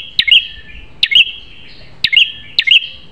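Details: Fierce prinia song used to tutor captive birds: four sharp high snaps, each trailed by a bright short chirp, spaced roughly every second over a steady thin whine.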